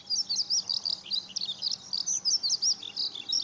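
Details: Eurasian skylark song from Okayama Airport's fourth parking lot, Japan, on a sunny 5 June 2013, captured with a Lumix camera: fast, unbroken high twittering, a bright chattering stream of short notes about three per second.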